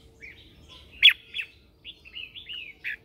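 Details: Morning training song of a red-whiskered bulbul lure bird calling others: a loud sharp note, then a string of fluid rising and falling whistled phrases ending in a clear strong note, quiet background.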